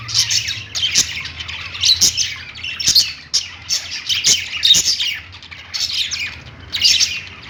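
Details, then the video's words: A group of budgies singing on a perch in a pet store, with a rapid, scratchy, high twittering that swells into louder clusters about once a second, mixed with short squawks and a steady low hum. "budgies singing on perch | parakeet chirping sounds in pet store"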